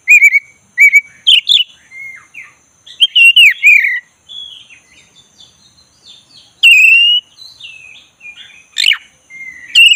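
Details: Black-breasted magpie-robin giving easygoing 'ngeroll' song to provoke an unmotivated bird into singing: loud clipped whistles and bent slurs come in uneven bursts separated by quieter twittering and short pauses, a faint steady high tone underneath.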